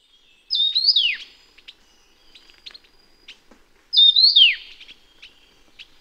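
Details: Taiwan Yuhina (Yuhina brunneiceps), Taiwan's endemic mountain bird, giving two bright, high, slurred phrases about three seconds apart, each with a quick downward sweep, with faint chirps of other birds between.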